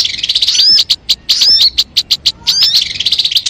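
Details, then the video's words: Sogon song for luring birds: fast bursts of sharp high chips interspersed with curving whistled slurs, delivered in rapid clusters with brief pauses. "MP3 suara burung sogon..!!! Mikat burung anti gagal"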